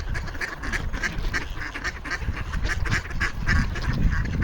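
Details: Hungry ducks gathered on a frozen pond, Toronto, making noise for food: a rapid run of repeated nasal quacks from several birds, with low background rumble throughout.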